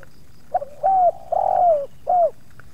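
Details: Spotted dove in a luring session where two wild doves approach and one pushes back: a soft short note, then a smooth falling coo, a longer rolling falling coo, and a final clipped falling note, all low and mellow.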